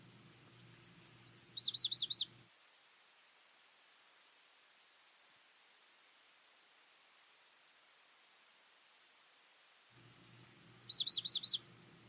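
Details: Nashville Warbler song variant: a high run of quick repeated two-part notes, then a faster, lower trill of sharply slurred notes, sung twice about eight seconds apart, with faint low hum beneath.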